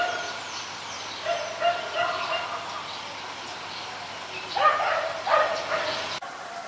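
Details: Adult zebra dove recorded in Ubon Ratchathani, Thailand, on 28 December 2020, giving soft rolling coos that build into a louder trilled burst near the end, with thin chirps of other birds behind.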